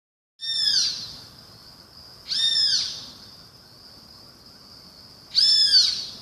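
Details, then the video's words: Great kiskadee giving three harsh, arched calls with rich harmonics, each about half a second long and spaced a few seconds apart, over a steady high-pitched insect-like whine. "O SOM DO BEM-TE-VI"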